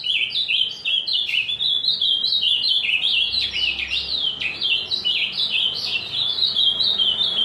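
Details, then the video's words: Azulão in full song, a steady run of varied sweet chirps and short warbled notes that rise and fall. It goes on without a break for the whole stretch. "azulão fibrado cantando muito"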